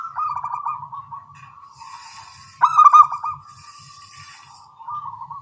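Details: In morning exchanges between small-voiced local zebra doves, purring trilled coos continue steadily and one loud choppy burst stands out, while thin high chirps from other birds are heard in the background.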